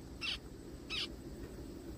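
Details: Zebra finch in a forest uttering two brief, nasal beeping calls spaced under a second apart over faint background hum.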